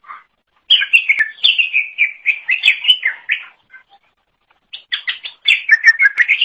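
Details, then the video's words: Green leafbird (cucak ijo) song used as training material for songbirds: a lively run of quick warbled and chirped notes, a pause of about a second, then another bright, rapid burst of high whistles. "Kicauan Super Cucak Ijo Gacor Untuk Masteran"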